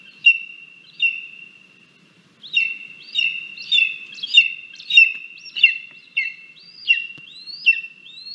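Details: An angry lesser spotted eagle chick in its Latvian nest on 17 August 2022, pushing its mother away at breakfast, gives high, thin, slurred yelps over a steady whine, about one or two notes a second.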